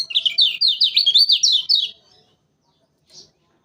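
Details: Lemon-bellied white-eye from Lombok, Indonesia, recorded as a lure for bird trapping: a fast, loud chattering run of high, sliding whistled notes lasting about two seconds, then a single short chirp after a pause.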